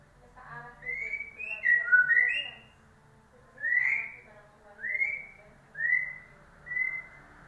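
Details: White-rumped shama song used as a lure to get a silent bird to start singing: a quick cluster of clear, slurred whistles, then four separate rising-and-falling whistled notes about a second apart over a faint low hum.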